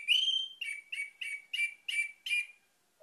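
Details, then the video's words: Orange-headed thrush song played to lure other birds into singing: a long rising whistle, then six short bright whistled phrases at a steady pace, each with a buzzy high edge, ending with a faint low note. "PANCINGAN ANIS MERAH CEPAT GACOR"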